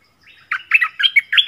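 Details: Yellow-vented bulbul, a decoy bird used to draw in wild birds, 20 March 2021: a lively gurgling phrase of four or five quick, throaty rising-and-falling notes.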